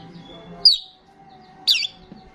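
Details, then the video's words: Starling in active voice, used as a lure for other starlings: two loud, harsh, falling squawks about one second apart, with a faint steady hum underneath. "sound of the gacor starling"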